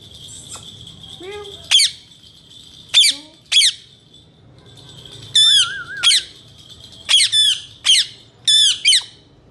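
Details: Male talking Indian ringneck parakeets: a burst of piercing, harsh squawks, several in quick pairs. One is followed by a low wavering whistle, with a few softer squeaks early on.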